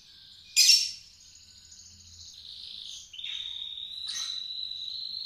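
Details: Canary singing while learning again after its moult: one sharp high note, faint thin tones, then a long steady whistle held for over two seconds.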